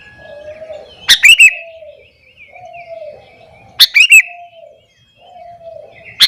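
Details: Morning song of a sooty-headed bulbul aimed at provoking other bulbuls: short bursts of bright, rolling chirps every few seconds, with soft, low cooing from doves continuing in the background.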